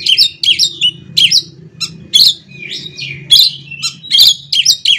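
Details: Oriental magpie-robin, kacer, singing a varied song used to spur other magpie-robins to sing: rapid runs of short whistled notes sliding down, sharp bright chips and longer buzzy slurred phrases, with a low hum beneath.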